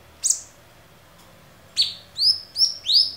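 A Black-headed Bulbul gives one high squeaky note, then four clear, bright whistled notes in quick succession, each slurring up and down.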